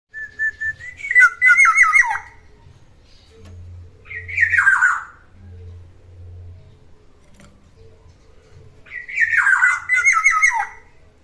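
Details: Ten-year-old black-naped oriole, described as still singing energetically, gives two harsh, nasal, descending squawking phrases several seconds apart, with faint low hum between them.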